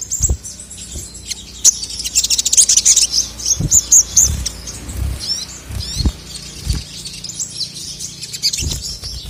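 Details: Male crested jay in captivity, calling to agitate rival birds: clusters of sharp, very high chips and short trills, most dense in the first half, mixed with hard clicks and knocks.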